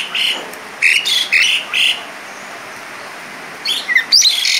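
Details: Asian pied starling in 'isian mewah' song: four scratchy chattering bursts, then a quiet pause of nearly two seconds, then a renewed flurry of sharp whistles and buzzy notes.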